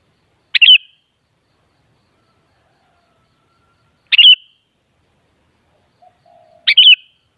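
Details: Three short, bubbly bulbul phrases, high and rapidly warbled, the first two about three and a half seconds apart and the last soon after a faint low tone. Sooty-headed bulbul, used to stir a kutilang into singing back.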